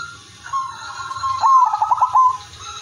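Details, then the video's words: Captive perkutut (zebra dove), Udanmas Silver, used to coax other doves to sing: a soft drawn-out coo, then one loud phrase of quick rolling pulses ending on a clear note, over a low constant hum. "perkutut udanmas silver gacor irama merdu jadi pancingan semua perkutut"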